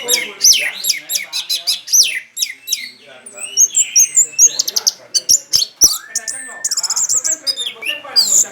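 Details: Orange-headed thrush, a contest songbird, delivering a long, fast stream of high chips, whistles and sweeping notes, with a quick rattling trill near the end and sharp clicks throughout.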